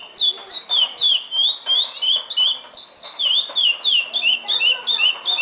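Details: Curió, the chestnut-bellied seed finch, delivering the classic praia song: bright whistled slurs, rising and falling, strung together at a steady pace of roughly three notes a second with no pauses.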